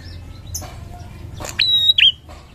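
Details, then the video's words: A single loud Bar-winged prinia phrase near the end, used as a lure sound: a steady high whistle followed by a quick twisted flourish, preceded by faint scattered chirps and soft background noise. "Prenjak gacor ngalun"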